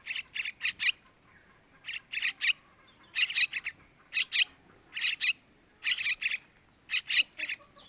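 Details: Yellow-vented bulbul chicks (trucukan) begging, used as a lure for males: clusters of three to four sharp, bright chirps in quick bursts, each cluster about a second apart, with brief pauses between groups.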